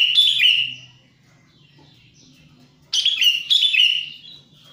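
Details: Wild sooty-headed bulbul, sound used to lure wild birds: a bright bubbly phrase near the start, a pause, then two more liquid chirping phrases in quick succession, clear against a quiet background.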